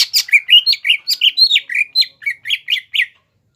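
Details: Greater green leafbird, a caged cucak ijo in full gacor song meant to provoke a rival, pours out quick squawky chirps that swoop down and up in a steady chattering run lasting about three seconds.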